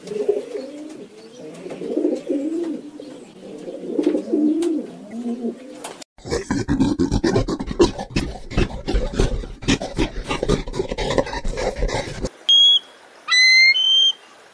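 A pigeon gives low, throaty, rolling coos, repeated for about six seconds. A harsh, noisy burst and a few high, whistled chirps from other animals follow.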